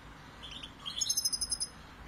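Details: European goldfinch chicks inside the nest while the male and female parents feed them; soft twittering notes, then a quick burst of about nine thin, high, evenly spaced chirps in rapid succession.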